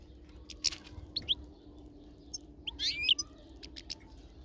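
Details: European goldfinch outdoors in nature: a few short, high, thin chirps, then a brief buzzy twittering burst near the end, scattered over a steady low rumble.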